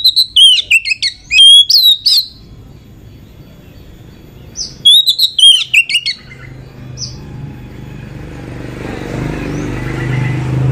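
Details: Female Oriental magpie-robin used as a lure to stir other magpie-robins into song. Two bursts of quick, loud whistled and chattering phrases about three seconds apart, then a long stretch of rising background hiss.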